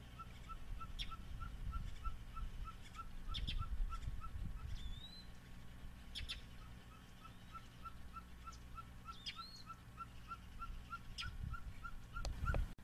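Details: Ferruginous pygmy owl, subspecies ridgwayi, at Xcalak, Mexico, on 8 October 2011, mobbed by passerines including American Yellow, Yellow-throated and Magnolia Warblers: a long, steady series of short hollow toots, roughly three per second, with sharp chips from mobbing birds and low rumble.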